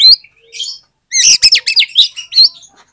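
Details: Oriental magpie-robin song, played as a lure to set other magpie-robins singing: loud, fast, varied phrases of sweeping whistles and harsh chattering notes packed closely together.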